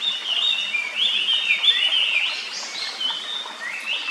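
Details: Japanese paradise flycatcher singing in a quiet forest near its nest, a bird with blue eye-ring and bill whose song is rendered tsuki-hi-hoshi hoi hoi hoi; a run of slurred, downward-gliding whistled notes repeated several times a second.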